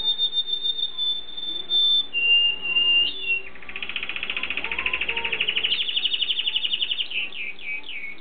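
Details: Canary love song with a sustained clear whistle that drops in pitch. It breaks into a long rolling trill that climbs higher, then ends in a few swept chirps.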